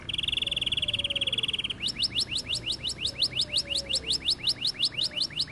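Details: A canary holds a pure, steady, trilled tone, then shifts into a chain of quick upward-sweeping chirps repeated about three times a second.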